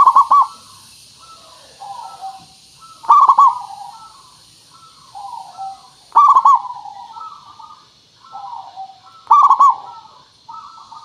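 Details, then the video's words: Lure song of a local zebra dove meant to draw an answer from other birds: four rolling, stuttered coo phrases at about three-second intervals, linked by quieter, lower mellow coos. "Suara Pancingan Burung Perkutut Pikat Paling Bagus Supaya Bunyi"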